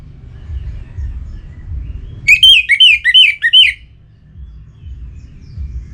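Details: Orange-headed thrush in breeding condition calling a rival, northern Bali near Singaraja: one phrase of about five looping, slurred whistles repeated rapidly over a second and a half, with soft low rumble before and after.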